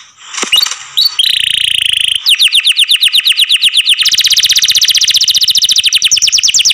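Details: Canary, kept in care, singing loudly: a short buzzy phrase, then fast trills of repeated downward notes around three to eight kilohertz, shifting to a denser, higher trill after four seconds; no other sounds.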